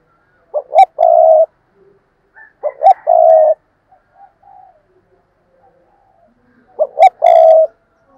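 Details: Spotted dove kept as a decoy, calling hard: three phrases, each of two quick clipped notes followed by a long, even, mid-pitched coo, about every three seconds, with faint soft murmurs between.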